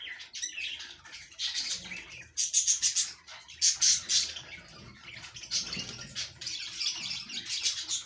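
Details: Budgies kept for breeding chatter without pause: dense, high, squeaky chirps and warbling notes come in uneven clusters, with short quieter gaps between bursts.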